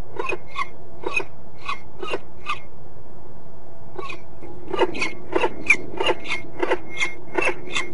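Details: Peregrine falcon at De Mortel in the Netherlands: loud series of short harsh notes, spaced at first, then coming faster and more clustered.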